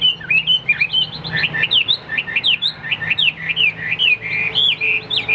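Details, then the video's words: A newly acquired fighting-type Chinese hwamei sings a rich, rapid run of varied whistled phrases, with loud slurred notes sliding up and down and repeated quickly, over a faint low hum. "Đẹp đấu xòe chất giọng cực hay l Hoạt Họa Mi"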